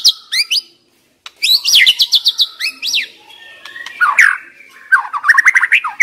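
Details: White-rumped shama used as a decoy, singing quick high whistled notes and rapid downslurred runs, followed by lower, rolling slurred phrases toward the end.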